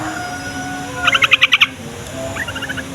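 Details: Yellow-vented bulbul song used as a lure for other bulbuls: one loud burst of about seven rapid, bubbly pulsing notes, followed by a softer, quicker run of notes, over a faint steady hum.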